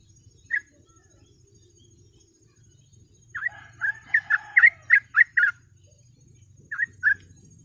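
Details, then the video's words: Sooty-headed bulbul giving scattered bright chirps, then a quick run of about eight slurred notes, then two more, in chatty 'ropel' style for training birds, over a low steady hum. "TRUCUK GACOR ROPEL MASTERAN PANCINGAN BURUNG TRUCUK"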